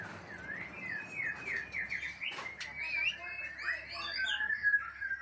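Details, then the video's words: Aceh white-rumped shama singing quietly beneath steady background hiss. A chain of repeated downslurred notes is followed by scattered sweet whistles and chirps. "Murai Aceh # Bongkar Isian"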